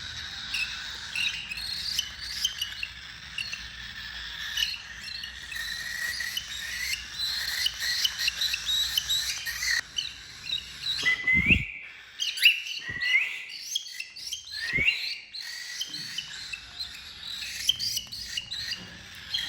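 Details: Several tamed cockatiels of one family chirp together in a steady stream of bright, high, overlapping whistled notes.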